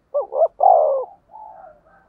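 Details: Spotted dove lure call for wild doves: two quick hooting notes and a long, loud coo, trailing off into fainter, softer cooing.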